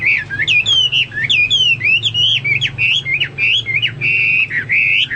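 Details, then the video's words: Hwamei singing actively, a continuous run of loud, clear whistled phrases that slur up and down, varied notes following each other quickly with short gaps and almost no background noise. "Burung Hoa Mi gacor"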